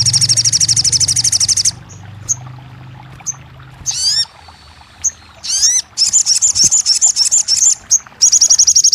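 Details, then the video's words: Crested jay for therapy to restart a silent bird. A fast high trill fades into isolated chips, then sharp downslurred whistles and renewed bursts of shrill trilling. "TERAPI RAJANYA SOGON MACET BUNYI"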